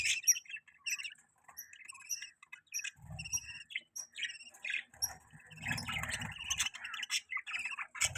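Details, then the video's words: Pet budgerigar twitters in scattered high chirps and squeaky whistles, building to a denser warbling chatter, with a few low rumbling bumps underneath. "Budgie Chirping Sounds"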